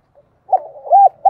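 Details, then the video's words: Spotted dove decoy calling for wild birds, a short fragment of hollow coos, one rough note, a rising-and-falling coo and the start of another, on an otherwise quiet background. "Tiếng cu gáy mồi chuẩn Gáy Gọi dùng tập mồi kích lửa cho bổi"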